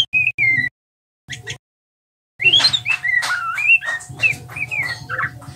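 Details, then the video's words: A young male white-rumped shama practising ngeriwik, the twittering song of a learning juvenile. A few brief whistles come first, then a dense run of rising and falling warbled notes. A faint steady hum and low background rumble continue throughout. "Murai trotolan belajar ngeriwik"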